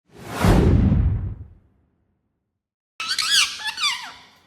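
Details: Indoor pet ringneck (rose-ringed) parakeet, a talking green parrot. A broad rushing noise burst fills the first second and a half, then silence, then a run of harmonic, wavering squawks and chattering notes.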